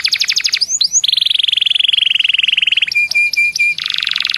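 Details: Canary song used as a lure to get other canaries singing: fast rattling trills, a long buzzy trill sliding slowly downward, then sharp repeated whistled notes and a dense high buzz, all loud and continuous.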